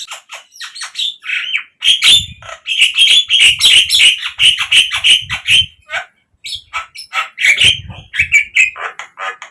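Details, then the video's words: Captive Javan myna song played as a lure to prompt singing: a long, dense stream of scratchy chatter and squeaky notes, about three per second, with a short pause partway through. "pancingan untuk naikanJALAK KEBO biar cepat GACOR"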